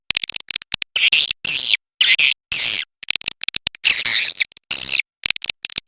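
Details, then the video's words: Swiftlets by the Kapuas River give short bursts of rasping, high-pitched buzzy chatter separated by brief silences, with fainter quick clicks and chirps between the louder bursts. "SUARA BURUNG WALET SUNGAI KAPUAS"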